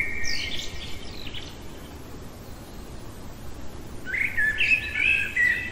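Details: Common blackbird heard in the dead of night, giving a phrase that trails into a thin high twitter, then after a pause a fuller mellow warbled phrase with bright whistled notes; steady faint background noise.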